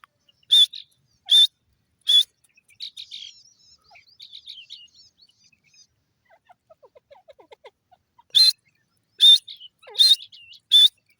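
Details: Grey francolin, called teetar, calling with loud harsh notes repeated about every 0.8 seconds. A stretch of softer, scattered chirps and twitters comes between the two series of calls.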